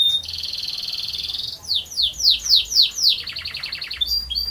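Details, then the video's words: Canary performing a long rolling song: an extended buzzy trill at even pitch, then slower loud descending swoops, then a quick pulsed roll with short high notes. "Burung Kenari Gacor Ngerol Panjang"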